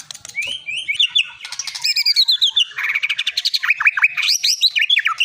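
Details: Caged Medan white-rumped shama with a long tail, a champion at song contests, pours out a rich, varied song of rapid whistled slurs, buzzy trills and a quick run of rising chirps.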